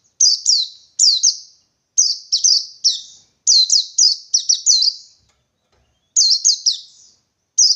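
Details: Wild white-eye in the forest seeking a rival, a loud high sweet phrase of quick descending chirped notes in bursts of three to five, separated by short pauses.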